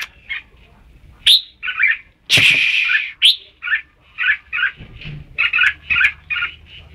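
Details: Red-whiskered bulbul giving short whistled notes in steady series, with a loud brief rasping rush of noise partway through.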